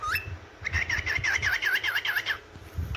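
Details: Yellow cockatiel singing in the morning: a rapid run of about ten wavering, warbled chirps, each dipping and rising, bracketed by short rising whistles at the start and end, over faint low rumble.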